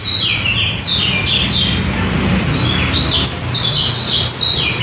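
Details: Lombok white-eye (kecial) song meant for luring other birds; quick series of high, sharp descending chirps in clustered bursts, nearly continuous, over a faint low-frequency hum.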